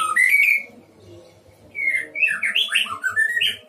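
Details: White-rumped shama, caged at a breeding enclosure, delivering a clear whistled phrase, a short gap, then a lively cascade of bouncing, liquid up-and-down notes.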